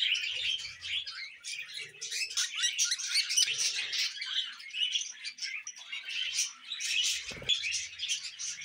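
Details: Pet budgerigar chatter: rapid twittering warble, uneven chirps about a hundred a minute, rising and falling in loudness, with a single sharp knock near seven seconds.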